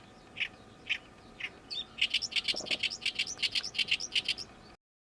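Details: Summer song of a newly arrived Oriental reed warbler, loud and insistent: a few spaced rasping notes, then a fast run of harsh, croaking, chattering syllables repeated about three per second, like gyo-gyo-shi.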